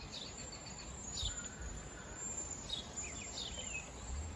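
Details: A wild cedar waxwing flock chirps and whistles: high, thin notes, some sliding downward, overlapping in quick clusters over a constant high-pitched hiss and faint low noise.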